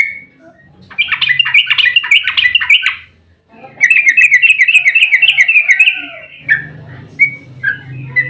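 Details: Fighting yellow-vented bulbul's long 'ropel' song, played to lure other bulbuls to answer: two bursts of fast, bubbly repeated notes separated by a brief gap, ending in scattered single chirps with faint low background hum.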